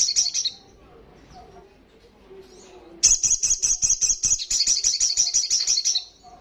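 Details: Olive-backed sunbird singing the loud ngalas song: a brief high trill, quiet soft twitters, then a long, strong, rapid buzzing trill of evenly spaced high pulses lasting three seconds.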